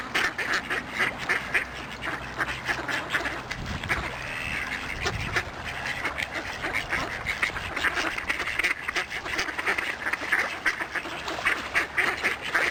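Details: Continuous loud quacking from a group of ducks with steady background noise. The rough, repeated calls run without a break.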